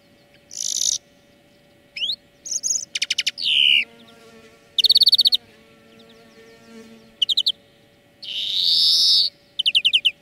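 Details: Training-lesson song of a European greenfinch: varied phrases of buzzy bursts, rapid rattling trills and a long rasping wheeze near the end, closing with a quick twitter.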